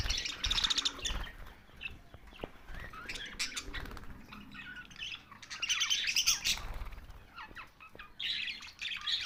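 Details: A flock of budgerigar parakeets chirping in loud high warbling flurries separated by quieter spells of scattered squeaks and clicks.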